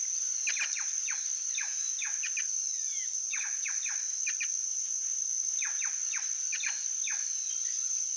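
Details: Plush-crested jay giving quick, falling notes, each a sharp downward slide, in loose clusters of two to four across eight seconds, over a steady high insect whine.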